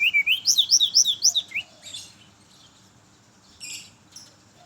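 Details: Morning song of a brown-chested jungle flycatcher, played to lure others of its kind: a rapid run of clear, high whistled notes, each sweeping upward, about ten in under two seconds, followed by faint scattered chirps.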